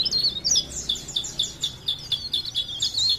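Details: Leaf warbler (cikrak daun) from Parepare repeating bright high downslurred chip notes in a steady quick series, roughly four per second, over faint background hiss.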